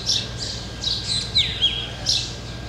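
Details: A flock of black drongos sitting on a tree in the jungles of Ranthambore, Rajasthan: sharp high chirps and squeaky notes, several overlapping, with a whistled downward slur near the middle and a low background hum.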